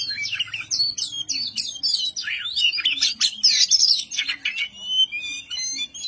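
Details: Kacer, the oriental magpie-robin, in ngobra display provoking an opponent: a jumble of high twisting whistles and scratchy bursts delivered rapidly, with a faint low hum in the background.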